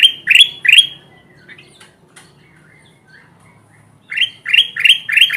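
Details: Kutilang emas bulbul in full gacor voice for trapping wild birds: three strong rising chirps, scattered soft notes in between, then four rapid upswept calls in a row.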